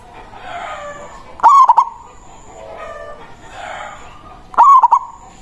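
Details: Local zebra dove giving its strong, full-voiced manggung song, used to call a rival and lure zebra doves; two loud, harmonic coos with stuttering notes about three seconds apart over a soft steady hum and faint high tone.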